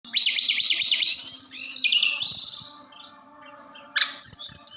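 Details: Snowy-browed flycatcher singing in the 'roll tembak' style used to stir other birds into song: rapid high zigzag trills, then thin sliding whistles, a pause and a bright chattering burst, over soft low knocking.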